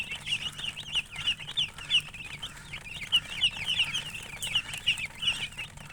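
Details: Chicken chirping: high, thin peeps repeated rapidly, about three per second in an uneven rhythm, over a faint low hum in the background.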